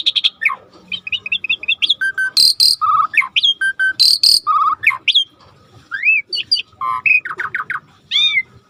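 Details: Starling in energetic gacor song for masteran tutoring: strings of rapid ticking notes, loud harsh broadband rasps, bright upslurred and downslurred whistles and quick trills, packed closely with few pauses.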